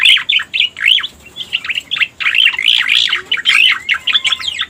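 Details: Striated grassbird (cica koreng) call played as a lure: loud, scratchy warbling bursts of wavering chirps, three or four clusters with short silent breaks between them.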